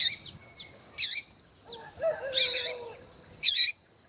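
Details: Female Double-collared Seedeater calling to arouse a male with loud, bright, high chirps about once a second. A lower, drawn-out whistled phrase sounds in the middle.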